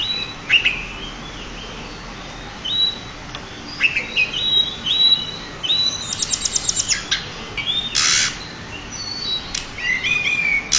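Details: Pied bushchat, a champion bird, singing as a master for other birds to learn from: scattered high, thin whistled and chattering phrases with short buzzy bursts, growing busier toward the end over a faint hiss.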